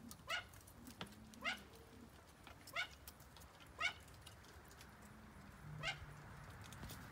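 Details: A young captive pair of Malayan great argus pheasants, newly added to a collection; sharp, bright, harmonic call notes sweep downward, repeated five times at uneven intervals of about a second, with soft low hums in the background.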